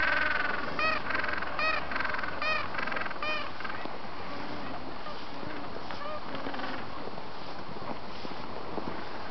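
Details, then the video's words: Mating gentoo penguins in Antarctica, recorded November 13, 2014; a rhythmic series of harsh, nasal braying pulses repeats quickly in the first few seconds, fading to softer scattered calls over low rumbling background. "mating Gentoo penguins - Antarctica"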